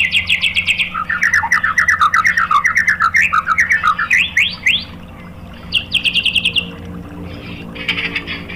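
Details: White-rumped shama 'tembakan' song for provoking other shamas: a long stream of fast chattering notes that wobble in pitch, then a brief pause, a high trill, and a final burst.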